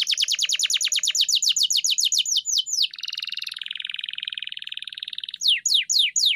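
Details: Canary song used as a master recording for training pet canaries to sing: fast runs of descending whistled notes, then a dense buzzy rolling trill, ending with more sweeping downslurred notes; no other sounds.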